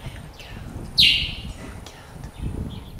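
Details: Angola Swallow (Hirundo angolensis) in Akagera National Park, Rwanda, March 2013: one sharp, high note slurring quickly downward, a few faint chips around it, and a low rumble of wind or distant traffic.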